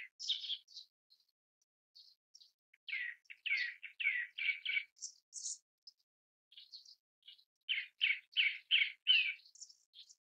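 A Grey-backed Thrush gives clear, slurred whistled notes, with bursts of four or five quick repeated phrases at mid-high pitch and short pauses between them. The background is quiet.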